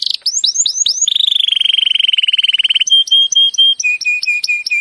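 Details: Master recording of canary song for coaxing a quiet canary to sing: rising whistled slurs, a long rapid rattle, then steady repeated whistled notes at two pitches.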